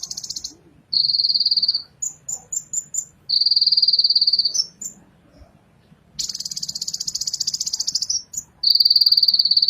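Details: Ninja sunbird song made of sustained insect-like buzzy trills, some lower and some higher and coarser, each lasting one to two seconds, with scattered short high ticks and brief silences between them.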